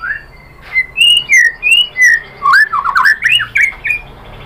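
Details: White-rumped shama song used as a lure to provoke other shamas into singing: clear whistled phrases sliding up and down at varied pitches, a dozen short notes, ending in a rapid burst of tumbling whistles.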